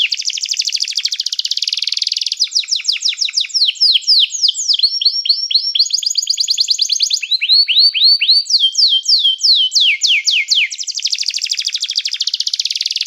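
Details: Canary singing to call other canaries into song, used for training canaries: fast high trills of repeated syllables that shift every second or so into new tours, some sweeping downward, delivered continuously over a quiet background.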